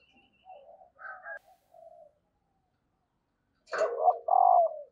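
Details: Female spotted dove calling to stir lazy males into cooing: short, soft, low coos in broken phrases, a faint high chirp at the start, then after a pause a louder, rougher coo ending in a drawn-out note.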